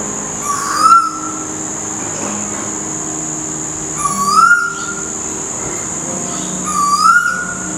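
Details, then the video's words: Asian koel (common koel, storm bird) in a tree right outside a house, calling early, around 5am: three loud, rising whistled 'ko-el' notes, one roughly every three seconds, over a steady high whine and a low hum. "Annoying Koel (Storm Bird) Bird Call"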